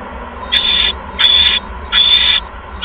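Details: Owl at the nest at 8:38 PM on 16 February 2015 as a second mouse is brought in; three harsh, hissing screeches, each about half a second long, spaced roughly every 0.7 seconds.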